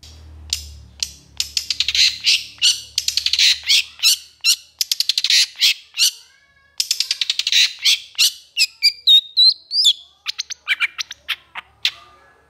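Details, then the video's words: Long-tailed shrike (pentet, cendet) in lively, emotional long-burst song. Long rapid volleys of dry, rattling clicks and harsh chatter run several per second, pause briefly, then resume, ending with thin whistled slurs. "SUARA PENTET GACOR EMOSI TEMBAKAN PANJANG"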